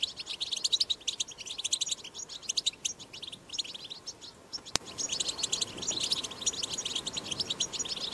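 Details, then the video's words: Wild-recorded European goldfinch batbata, a strong twittering song used to stimulate goldfinches to sing: lively bursts of high tinkling chirps, a sudden click just before the fifth second, then a denser, slightly louder stretch of chatter. "أقوى بتبتة حسون"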